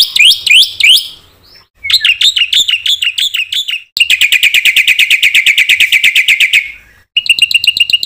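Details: Black-winged myna singing in full, lively form, used as a lure to provoke other mynas into singing: varied whistled phrases, then a long run of rapid, repeated chattering notes, with brief pauses between bursts.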